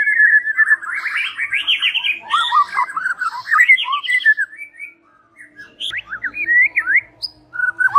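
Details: Evening lure song of a white-rumped shama, meant to draw other birds to answer: a rapid tumbling stream of varied warbled whistles and trills, pausing briefly, then resuming with looping slurred notes.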